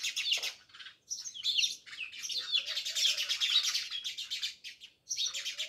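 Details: A crowd of house sparrows at a village house in Jamnagar chatters almost without pause, overlapping harsh chirps forming a dense, continuous chorus broken by two brief gaps.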